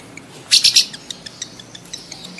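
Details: A rapid triple burst of piercing lovebird chirps, followed by soft scattered ticks; the calls are used to stimulate adult lovebirds to mate.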